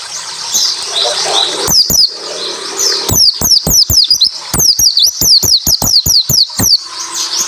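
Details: Japanese white-eye song used to coax reluctant white-eyes to sing: rustling background, then quick runs of high, sharp downslurred notes with crisp clicks, repeated in tight series.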